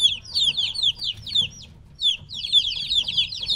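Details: Three-week-old chicks away from their mother call in two loud bursts of shrill, falling peeps, separated by a quieter gap of about half a second.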